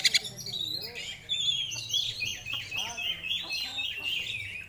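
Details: Oriental magpie-robin (kacer), a hobbyist's contest songbird, in full song showing off its isian fill-in repertoire: varied high whistled phrases and slurred rising and falling notes over a steady low hum in the background.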